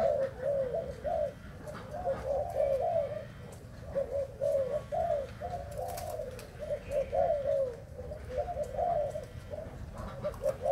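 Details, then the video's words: Spotted dove from Thailand cooing in clusters of short wavering low notes separated by brief gaps, set against steady background noise and occasional clicks. "Cu gáy thailand"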